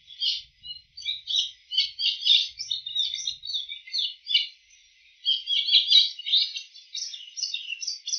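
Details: Wild bull-headed shrike copying calls of other bird species, every sound from this one bird: rapid jumbled twittering and squeaky chirps in long fast runs, one short silent gap midway, no other sounds.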